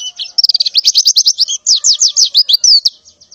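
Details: In the morning a female white-eye in breeding condition calls for males, giving a fast, dense run of high chirps that turn into sharp downslurred notes before fading.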